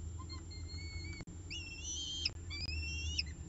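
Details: Peregrine falcon at a nest camera at CSU Orange during its evening meal, 18 October 2018, about 6:51 pm, giving thin, drawn-out whining notes, two long ones hooking upward at the end, over a steady low hum.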